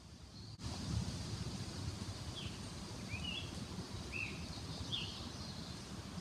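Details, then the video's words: Scarlet Tanager singing short, burry, slurred phrases, four in quick succession, in the canopy of mature forest at Manchester Cedar Swamp Preserve, New Hampshire, spring (arrived mid-May); rustling leaves and low wind behind. "That’s a Scarlet Tanager singing!"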